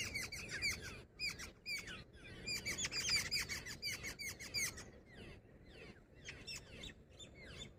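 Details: Female jungle babbler producing squeaky, harsh chatter in irregular clusters that loudens midway, then thins to scattered falling notes.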